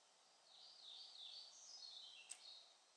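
European pied flycatcher singing a quick, high, sweet phrase of varied notes lasting about two seconds, with a single sharp click near the end.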